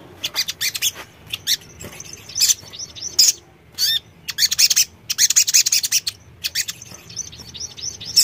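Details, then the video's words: Crimson sunbird, a caged songbird played as a therapy sound to make birds answer: dense, very high, sharp chirps and quick trills in rapid bursts, nearly continuous with brief pauses. "TERAPI BUNYI SOGON"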